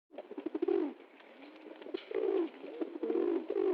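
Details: A pigeon dancing, apparently happy at getting food, gives deep, throaty rolling coos in bursts of about a second, with soft muffled bubbling between.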